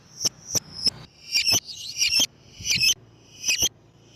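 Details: Lovebird sound played to lure other lovebirds: shrill, high chirps in short bursts, three quick single notes, then doubled and buzzy clusters about once a second, with a faint low hum behind.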